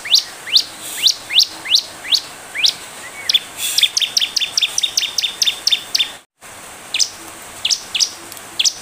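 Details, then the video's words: Bar-winged prinia singing as a lure for other birds: spaced rising whistled chirps, then a fast stuttering run of high clicking notes, a brief dropout, and further scattered chirps. "Ciblek gacor, pancingan ciblek bahan biar cepat merespon"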